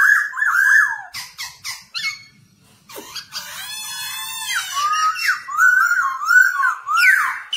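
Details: Caged black-throated laughingthrush singing while dancing, used to train young birds: wavering whistled notes, a run of sharp clicks, a brief pause, then a harsh buzzy rasp followed by repeated looping whistles.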